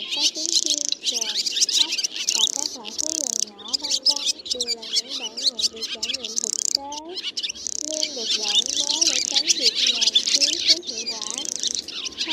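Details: Roost-calling swallows, black with white bellies, used as a lure for net trapping: continuous shrill twittering of many birds in bursts, with lower looping, wavering whistles underneath and brief pauses.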